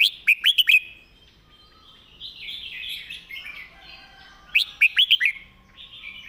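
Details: Master song of a Red-whiskered bulbul, clearly enunciated: a quick run of four bright whistled notes, then a long, softer, slurred warbling passage, then the bright note run again.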